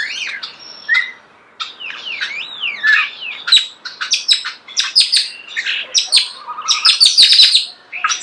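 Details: Starling song recorded close up in nature: a rich jumble of slurred whistles, squeaky chirps, sharp clicks and rising and falling glides, delivered in rapid bursts after a brief pause, with no other sounds.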